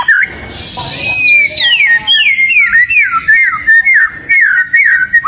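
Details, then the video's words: Kacer, the oriental magpie-robin, singing a lure song; after a brief noisy burst, a series of clear whistles each swoops sharply downward, repeated in quick succession with short gaps. "ISIAN PANCINGAN BURUNg KACER//🐦KACER GACORR"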